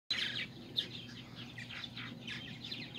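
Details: Purple martin parents, playful while feeding their babies on July 9, 2020, give dense bursts of rough, chattering chirps that overlap one another. A steady low electrical hum runs underneath.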